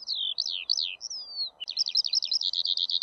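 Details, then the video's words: Eurasian skylark song: a few swooping high whistles and one long descending slur, then a fast, steady trill of bright repeated notes. A faint low hiss is heard behind the bird. "ПОЛЕВОЙ ЖАВОРОНОК-ПОЮЩИЙ ЛЕКАРЬ"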